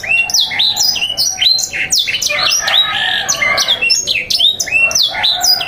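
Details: Canary song used as tutoring material, in a 'sanger' style, for young canaries learning to sing: a loud, dense run of high whistled notes and rapid downward-sweeping chirps that repeat in quick trilling series with no pause.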